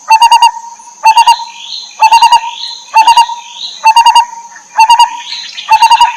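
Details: Lineated barbet chicks being fed by their mother in the wild: bursts of four to five rapid harsh notes repeated about once a second, over a steady high ringing tone and soft rising chirps.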